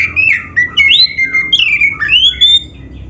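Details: Black-breasted kacer, the oriental magpie-robin, singing loudly to stir other birds into song: sweet, sliding whistles, rising and falling, mixed with harsher squawky notes in a continuous varied phrase.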